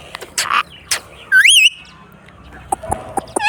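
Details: A pet Indian ringneck (rose-ringed) parakeet gives a few harsh, scratchy squawks, then a wavering whistled call that rises and dips, with a person talking nearby.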